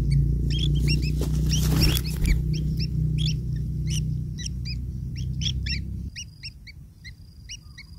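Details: Nestling long-tailed shrikes beg as a parent brings food, giving fast, regularly repeated short upslurred chirps, about four per second, over a loud low rumble that drops away near the end.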